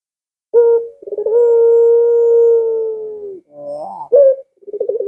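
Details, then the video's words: Barbary dove call used to entice home-kept doves to join in: a short coo, then a fluttering roll running into a long even low note of about two seconds, followed by a rising warble and trilled notes. "Suara Burung Puter Ini Memikat Puter Anda Dirumah Sehingga Ikut Bunyi"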